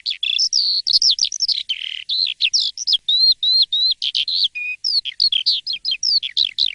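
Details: Asian pied starling (jalak suren) in full morning song, a fast unbroken run of whistled, slurred and rising-falling notes packed closely together, with brief buzzy and harsh elements mixed in.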